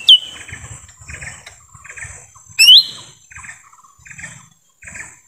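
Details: Lesser green leafbird in forest, lure recording for attracting wild birds: two isolated piercing whistles, one a falling note and one a rising slur, separated by quiet with soft background rustle.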